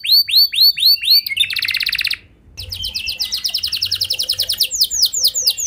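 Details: Canary song serving as a lure for other canaries: slow arched whistled notes, a buzzy rapid trill, a short break, then quick repeated descending chips that slow into wide sweeping notes.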